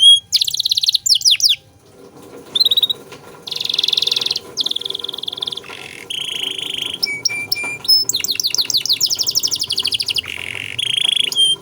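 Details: Domestic canary singing a rich 'cengkok mewah' style song, played as tutor song for training other cagebirds: high buzzy trills and rapid sweeping notes in bursts, a silent pause near the second second, faint low hum beneath.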